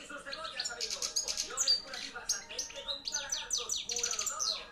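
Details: Caged young European goldfinch, hand-reared in 2013, singing strongly: dense, liquid high twittering mixed with short nasal buzzes, delivered in quick overlapping bursts throughout.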